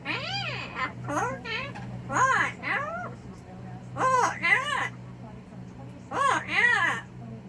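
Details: A yellow-naped amazon lets out bursts of loud, rising-and-falling, speech-like squawks in quick runs while going off and complaining, with a steady low hum in the background.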